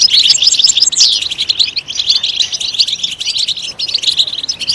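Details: Loud song of a European goldfinch, a fast jumble of bright chirps, liquid twitters and short downslurred whistles, delivered without pause.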